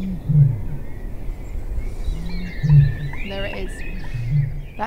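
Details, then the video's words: A male Eurasian bittern booming just after sunrise on a still, chilly morning in a reedbed at RSPB Ham Wall, Somerset Levels, UK: deep, foghorn-like booms about every two seconds, with a man speaking and small birds calling. "And it's known as booming. And you can really hear why. That is a deep low pitched boom. It's like a fog horn."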